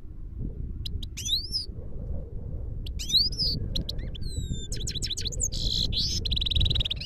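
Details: Himalayan goldfinch singing in Parachinar: scattered sharp chirps and upswept notes build into a varied twittering phrase, ending in buzzy, nasal trilled notes, with a continuous low rumble underneath.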